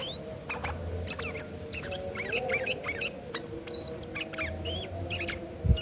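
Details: Sooty-headed bulbul in rough, aggressive fighting song used as a lure to prompt other birds to respond; rising whistled notes and sharp chirps over constant low humming noise, a thump near the end.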